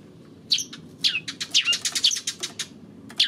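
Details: Eurasian tree sparrow on 28 May giving bright chirps that drop sharply in pitch, in quick bursts of five or six notes after a short pause, against a quiet background.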